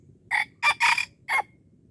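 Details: Wild red junglefowl from Aceh being lured at Darul Kamal; four short harsh rasping notes in quick succession, the middle two run together, over a quiet low background hum.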